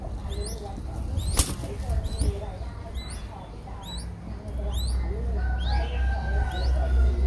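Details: Five-day-old Streak-eared Bulbul nestlings in Ubon Ratchathani, Thailand, recorded 7 April 2023: thin, high rising squeaks in quick pairs, repeated steadily over a low rumbling background with a sharp click near the middle.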